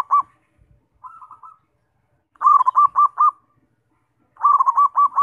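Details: Zebra dove in song, played to set off other doves: short purring notes lead into runs of four or five quick, warm, rolling coos, repeated twice in a clean, quiet recording.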